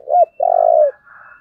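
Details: Dove call used as a decoy to stir up wild birds: a brief coo, then a long, steady, vibrating low coo, with faint higher bird chatter afterwards.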